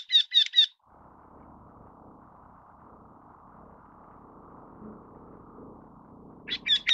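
Eurasian Wryneck giving short bursts of three quick, nasal, high notes, once at the start and again after a quiet pause, over faint low background hum.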